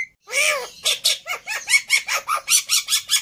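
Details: Black-winged myna fighter, highly agitated and used to tutor silent mynas, starts with a loud arched squawk and then gives an even series of hoarse, nasal chirps, roughly two each second.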